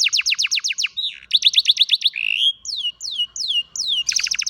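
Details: ['Song of an old canary, afternoon: quick trains of falling notes, a rising slur, spaced downward whistles repeated about twice a second, then a dense fast trill.']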